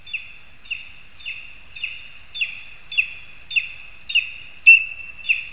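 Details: Lesser spotted eagles calling from a spruce in Zemgale, Latvia, on 22 August 2021: a steady series of sharp, high, slightly down-slurred yelps, about two each second, with the last ones louder.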